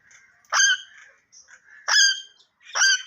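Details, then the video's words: Parrot giving three loud, sharp screeches about a second apart, each a bright harmonic burst, with softer murmured sounds between them. "Tota Boltay Huay Kesa Lag Raha Hai _Totay Ke Awaz"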